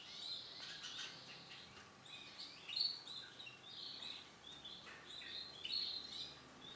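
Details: Male orange-and-black canary singing softly: high scattered chirps and short trilled phrases, with some gaps, over steady background hiss.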